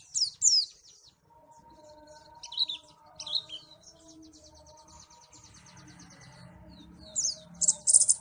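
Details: Pleci white-eye from Malang giving short bursts of high sharp twittering at the start, middle and end, separated by quieter gaps with a steady low hum and faint tonal background sounds.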